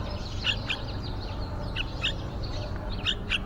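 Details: At a window-side nest, yellow-vented bulbuls with young nearly ready to fledge; sharp high chirps come in twos and threes, spaced about half a second apart, over constant low background hum.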